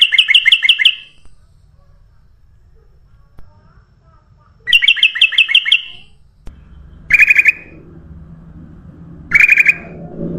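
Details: Sooty-headed bulbul (kutilang emas) recorded as a lure for all birds: two quick runs of bright, repeated chirping notes, then two shorter, harsher bursts. Brief silences and a faint low background hum sit between the phrases.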